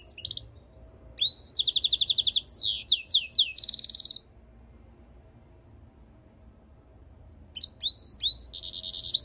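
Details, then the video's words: Goldfinch–canary mule song in two bursts separated by about three seconds of quiet: rising whistles, rapid pulsed trills and sweeping chirps, then a second burst of whistles and trills. "European Goldfinch mule singing - Jilguero Mixto"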